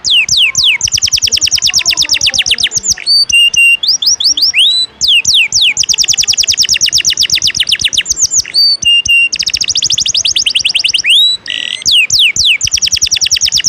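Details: Canary singing lively 'ngejos' filler song meant for training other birds: long, rapid rolling trills of high notes repeated in several bursts, separated by brief sharp upslurred and downslurred whistles.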